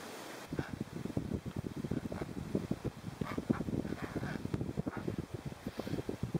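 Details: Wild Adélie penguins on the sea ice edge of McMurdo Sound near Ross Island, Antarctica, give harsh, rapid, pulsing calls in a steady throaty stream, wind rumbling in the background.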